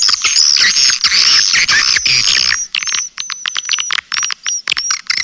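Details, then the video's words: Swiftlet lure call: a dense burst of rapid, overlapping high chirps and clicks under a thin whistled tone, then broken into separate quick chirps for the last half. "Suara Panggil Triple 999"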